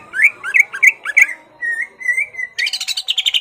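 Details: Caged greater green leafbird singing to goad a rival into a fight: five loud rising whistled notes, a few level whistles, then a dense buzzy chattering burst.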